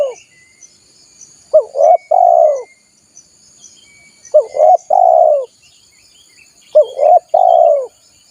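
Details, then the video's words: Spotted dove call for luring wild doves, repeated about every two and a half seconds: each phrase a short hooked coo, a second rounded coo and a drawn-out downward coo, small birds chirping faintly and insects buzzing in the background. "SUARA PIKAT BURUNG TEKUKUR"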